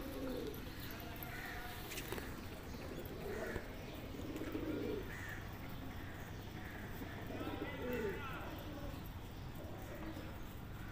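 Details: Kept pigeons let out at eight in the morning to feed on grain give low, soft, rolling coos in short bursts every few seconds, while higher cawing birds call and general outdoor noise continues.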